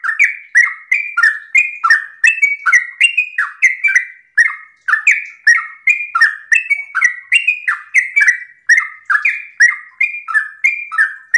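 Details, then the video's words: Sooty-headed bulbul delivering long, unbroken 'ropel' song in the morning as a lure for other bulbuls. Over eleven seconds of busy, bubbling, whistled phrases follow one another closely, each with a sharp clicky start and a downward slide. "Pancingan trucukan gacor ropel pagi hari trucukmu pasti langsung nyaut"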